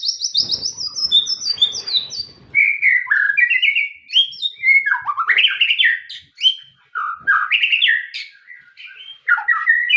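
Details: Long, rich white-rumped shama song of high trills followed by many fluty whistles that rise and fall, delivered in quick varied phrases with short gaps.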